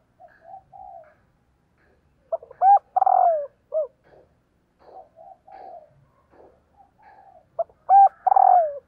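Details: Female spotted dove calling to excite males: soft low coos, then two loud phrases, each a short note, a strong doubled coo, a long coo sliding downward and a closing short coo, with quieter coos between.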